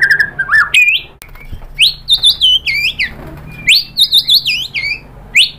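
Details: Song of a white-rumped shama, played to draw other birds into singing: looping whistled notes with wavering, rolling phrases, repeated in quick bursts.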